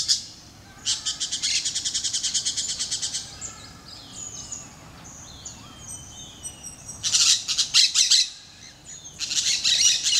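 Yellow-headed Caracara giving a harsh, hissing screech: first a rapid rattling series for over two seconds, later two more raspy bursts. Faint thin whistles from other birds fill the gap.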